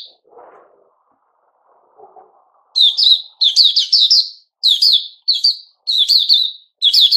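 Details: A few soft low sounds, then a white-crowned shama in fresh plumage breaks into loud, repeated high chirpy phrases about every half second.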